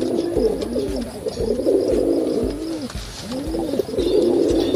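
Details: A dense chorus of pigeons at the Gateway of India, a huge gathering, gives low, throaty, rolling coos that overlap continuously, many birds calling at once over a faint background hum.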